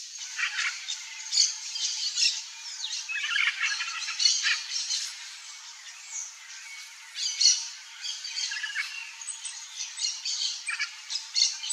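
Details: Blue-and-yellow macaw, known locally as Arara-canindé, feeding on a ripe mango in the Brazilian Cerrado. Harsh, broadband squawks come in irregular bursts of a second or less, spaced unevenly, over a steady high hiss.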